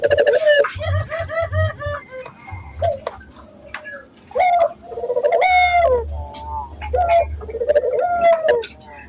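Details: Barbary dove cooing as a lure for training local doves to sing readily: rolling, mid-pitched coos that swell then drop, several in a row, with sharp higher chirp-like notes and a low pulsing hum underneath.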